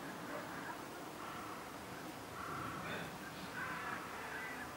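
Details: Whooper swans, 17 birds on a flood-control retention pond in a residential area of Shiroi, Chiba, Japan, 9 March 2014 around 10:40 am: a few faint, nasal bugling honks spaced irregularly over steady hiss and murmur. Whooper swan.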